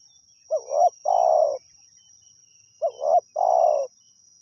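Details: Wild spotted dove during decoy trapping, delivering two phrases about two seconds apart: a brief double coo swelling into a long, hoarse, purring croo, with a thin high tone running behind.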